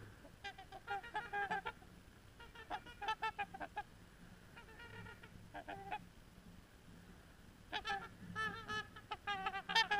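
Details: A few trumpeter swans, seen from a beach while mostly milling about, give resonant, horn-like trumpeting honks in quick bursts of two to five notes, with a steady low hum underneath.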